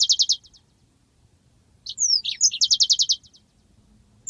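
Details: Yellow-fronted canary master recording of long rolling song for training birds: quick high trills of clipped repeated notes, then a pause, sweeping whistled slurs, and another rapid run of about a dozen buzzy notes.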